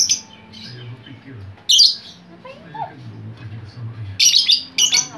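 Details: Chatty lovebird, its calls used to lure other lovebirds: shrill, harsh squawks in short bursts near the middle and close of the recording, with quieter twittering between, over a low steady hum.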